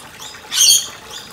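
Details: Cockatoo recorded 19 January 2020: a single harsh, grating screech lasting about a third of a second, high-pitched and rasping, over quiet background hiss.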